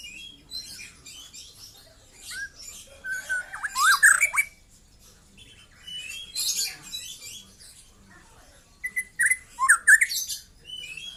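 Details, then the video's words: Young white-rumped shama song in separated bursts: slurred whistles mixed with harsh scratchy notes, quiet gaps between phrases, the final burst loud and varied. "KICAU BURUNG MURAI MUDA LEPAS TROTOL"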